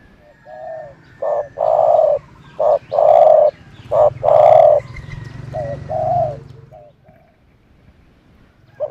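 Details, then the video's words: Repeated cooing from a decoy dove employed to draw in other doves: three loud short-long coo pairs in quick succession, then softer coos trailing off, against a low background rumble. "นกต่อ เสียงนกต่อ"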